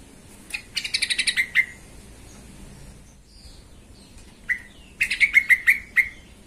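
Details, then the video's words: Agitated yellow-vented bulbul song used as a lure to stir other bulbuls into singing; a fast chattering run, a quiet gap, then a bright burst of six rapid ringing notes. "TRUCUKAN EMOSI BONGKAR ISIAN❗BIKIN TRUCUK LAIN SEKALI DENGAR AUTO KOAR KOAR❗"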